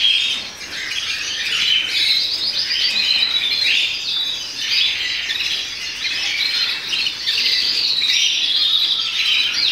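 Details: Melanin canary of the agat opal red mosaic colour mutation giving a dense, unbroken stream of high warbled trills and buzzy rolling phrases, with a brief dip in loudness near the start, over a steady low background hiss.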